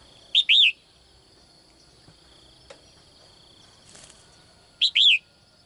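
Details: A caged female bird calls in the morning to attract a strong male. It gives two paired calls about four and a half seconds apart. Each pair is a short chirp and a louder arched note that rises and falls. A faint click is heard in between, under a steady high hum.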